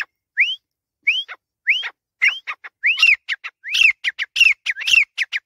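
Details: Pakistani grey francolin starting with spaced upslurred whistles, then accelerating into a busy sequence of rising whistles mixed with short, harsh, squawky notes.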